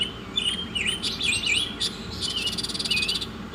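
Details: Oriental magpie-robin masteran song, quick tumbling whistled slurs and chirps followed by a scratchy rattling trill with soft swooping notes woven in, against low steady hum.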